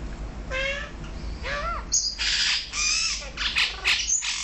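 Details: Male and female Brahminy starlings in Kuwait: two nasal, harmonic-rich squawks, one rising and falling, followed by a series of harsh, noisy chattering bursts.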